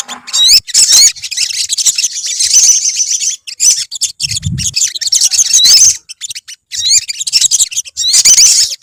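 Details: Olive-backed sunbird colony in full voice: repeated waves of very high, fizzy chirping and quick upslurred whistles, with pauses between bursts and one brief low thud.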